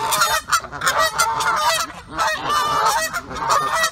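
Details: Territorial Canada geese in breeding pairs, showing pre-mating behaviour and attacking other geese that come near, honk loudly and continuously, with harsh nasal honks overlapping several times a second from more than one bird.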